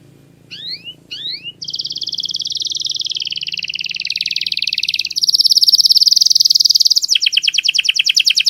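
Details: Canary masteran song, billed as the clearest voice: two quick rising chirps, then a long rapid trill with a steady roll that shifts to a higher, brighter rattling tour and finally a chopped, descending series of notes.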